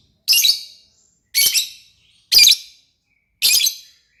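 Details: Lovebird singing busily (gacor): four harsh, high, squeaky chirps repeated about once a second in a steady pattern, each note buzzy and quickly fading.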